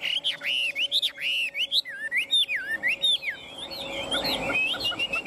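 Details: Caged Chinese hwamei singing while its cage is hand-held, praised for a very good voice and very even phrases: rapid rich whistled warbling with looping up-and-down notes, fluent and continuous, with low hum and some handling noise beneath.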